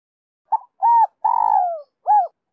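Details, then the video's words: Spotted dove cooing in the 'son 2 hậu' voice style, used as a lure to draw wild doves: two short coos, a long drawn-out falling coo, then another short coo, clear and mellow against a silent background. "Tiếng chim cu gáy mồi"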